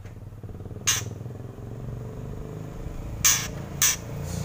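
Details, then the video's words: Kretekan from a white-rumped shama: a single harsh rasping burst, a long gap, then two more rasps close together, set against a steady low rumble like passing traffic. "Kretekan Murai Keras"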